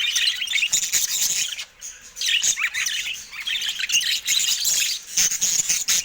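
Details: Budgerigars in a cage attacking a camera. Dense high-pitched warbling chatter with thin whistled notes, broken by a short lull near two seconds.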